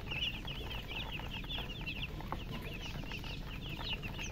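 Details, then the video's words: Baby chicks chirping in a fast, high, twittering stream of thin peeps that continues without pause, several birds together, with low steady background noise. "Witty MURGI Baby "Chicks Chirping" Sound"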